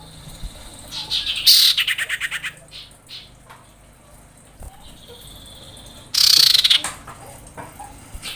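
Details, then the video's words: Female common iora calling the male during breeding: a rattling burst of rapid pulses trailing off over a second, a thin level whistle, then another dense harsh rattle. "KICAU CIPOW BETINA BIRAHI MEMANGGIL JANTAN"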